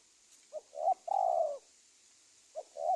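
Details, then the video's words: Indonesian spotted dove cooing, played as a lure to draw in wild doves: one full phrase of a brief lead note, a short coo and a drawn-out husky coo, then the next phrase beginning, over faint background hiss. "SUARA TEKUKUR PIKAT"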